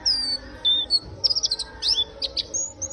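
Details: Warbling white-eye singing vigorously: rapid, high, thin chirps and short whistled slurs in quick bursts, some notes sliding down, delivered in a busy, scattered stream over faint low background hum.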